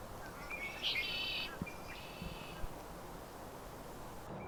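A Red-winged Blackbird gives a harsh, buzzy, high trill lasting under a second, then a fainter echoing second burst, over steady low outdoor rumble.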